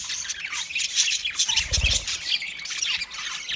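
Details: Budgerigar flock chirps in a dense, loud tangle of shrill squeaky notes and buzzy squawks, with a short low thud near the middle.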